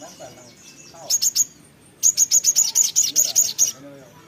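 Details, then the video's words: A little spiderhunter (sogon) singing in gacor ngotor ngleper fashion: three quick high chips, then a steady run of about twelve evenly spaced piercing notes over roughly two seconds. "sogok ontong (sogon) gacor ngotor ngleper"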